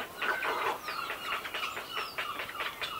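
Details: Well-grown grey heron chicks in the nest with adults, close up, giving feeding calls: a rapid series of harsh, clucking, chattering notes, with thin high squeaks overhead.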